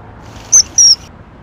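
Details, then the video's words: Common kingfisher (Alcedo atthis) near its young while feeding chicks: two sharp, high, shrill whistled notes in quick succession, each slightly falling, over a quiet low background hum. "翠鳥 - 育雛/Common Kingfisher - feeding baby"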